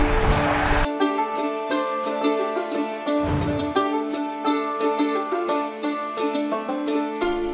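Bright plucked-string music, like a mandolin or banjo, plays throughout with no animal sounds.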